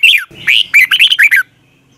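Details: Red-whiskered bulbul singing at dawn for bird training: a single rapid phrase of loud chirruping, slurred notes, mostly descending, lasting about one and a half seconds.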